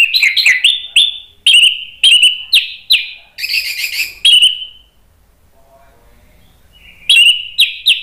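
Orange-headed thrush giving rapid, loud, sharp whistled phrases around two per second, then a pause and a fresh burst.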